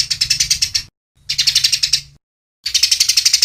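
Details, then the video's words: Eurasian tree sparrow fighting-song recording: bright, high, rapid chirps about eight per second, in bursts with short clean pauses between them. "Gereja Tarung Berjeda Jernih"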